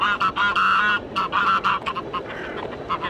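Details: Hooded crow on the Elbe at Pirna, seemingly alone among waterbirds, giving harsh, nasal caws in quick runs, several linked calls in the first second and a half, then shorter scattered notes.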